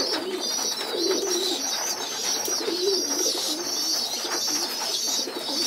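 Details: Young pigeons moved onto the loft floor for group feeding by adult pigeons, giving a continuous high, wheezy squealing that wavers in pitch, with soft low cooing murmurs underneath in a small indoor space.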